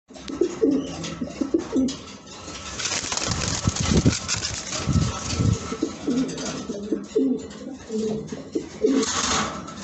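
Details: Black racing pigeons in a loft, repeated low throaty cooing phrases with bursts of wing flapping and general loft noise.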